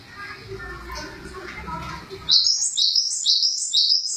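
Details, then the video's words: Java sparrow singing: after two seconds of muffled background rumble, a string of high, bright chirped notes begins, each phrase stepping down in pitch and repeating roughly twice per second. "Suara burung glatik"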